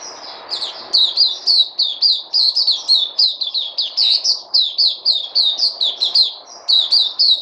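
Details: Caged white-eye, locally called Puteh, kept on a health supplement, recorded 03/08/2020: rapid high twittering song of short, sharp slurred notes, about two per second, in near-continuous bursts with a faint low hum behind.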